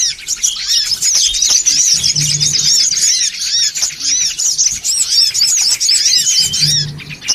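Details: Songon otong calls in a noisy lure recording meant to make birds gather: many overlapping high chirps and rapid squeaky twitters sound at once, with brief low hum bursts near the start and end.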